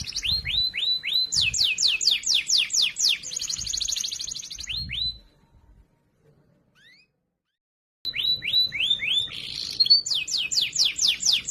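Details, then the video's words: Loud, clear canary training song for tutoring other canaries: quick runs of falling whistled notes and a dense buzzy trill, then about three seconds of silence before the rapid swept whistles and a chattering burst resume. "Masteran Burung Kenari Suara Lantang Dan Jernih"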